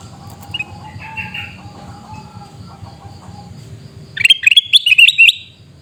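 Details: Sooty-headed bulbul at Busu Reului, Pidie, Aceh, breaking into a second-long burst of loud, scratchy, chattering notes. Softer distant bird whistles and a low hum come first.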